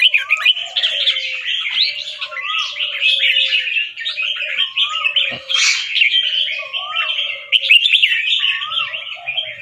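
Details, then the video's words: Caged fancy red-whiskered bulbul, a white albino with red eyes, from Chonburi, Thailand, bred for competition singing, in training; bright warbled whistled phrases repeated rapidly, with a lower fluting note looping through every second or so, and other caged birds chirping. "นกกรงหัวจุกแฟนซี เผือกขาว ตาแดง เจ้าฉลามชล เสียงร้องเบิ้ลๆ ริกๆ สับไว"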